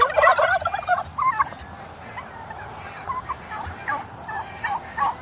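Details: Turkeys, male and female, with a loud rapid gobbling burst in the first second followed by softer scattered clucking notes over steady background noise.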